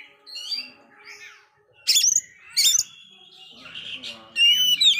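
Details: Oriental magpie-robin in a failed moult, singing vigorously, used to stir up dispirited magpie-robins; soft warbles, two loud harsh bursts, then a fast series of bright slurred whistles, with a faint steady low hum beneath.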